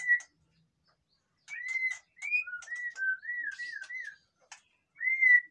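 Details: Captive white-rumped shama, song for stimulating quiet birds: separate pure whistled phrases, some looping up and down, with short gaps and light ticking notes between.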